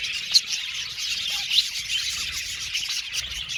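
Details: Budgerigars in an aviary: a soft bed of distant flock chatter with a few sharp, loud chirps standing out, plus one brief low whistled note.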